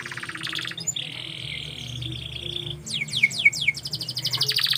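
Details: Canary song: a sustained buzzy trill lasting well over a second, then a quick run of descending whistled notes and rapid chirps, with a low hum in the background.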